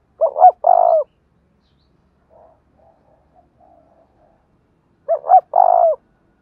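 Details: Spotted dove singing its đồng thổ style coo: a clipped double note then a drawn-out mellow hoot, repeated after about five seconds, with soft murmuring notes in the gap.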